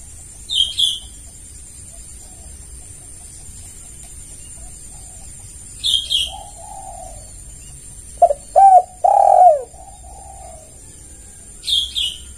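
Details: Spotted dove lure call meant to draw other doves: a few soft hollow coos near the end, among short high chirps of another bird and a steady high hum.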